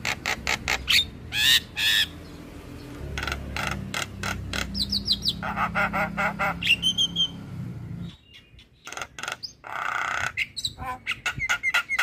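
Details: Black-winged starling song used to teach young starlings: harsh rasping squawks and chatters in irregular bursts, interspersed with slurred whistles, a short quiet gap, then renewed rapid scratchy notes.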